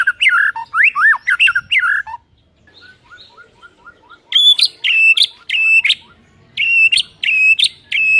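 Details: White-rumped shama song meant to provoke a rival shama into singing: rich whistled and slurred phrases at first, a pause with soft chips, then loud repeated buzzy notes with sharp clicks, in bursts about every half second.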